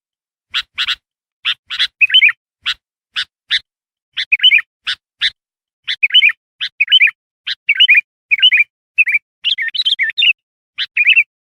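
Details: Sooty-headed bulbul song used as a lure to call wild bulbuls: short bright chirped notes, then clusters of quick warbled two- and three-note phrases repeated about once a second, on a silent background.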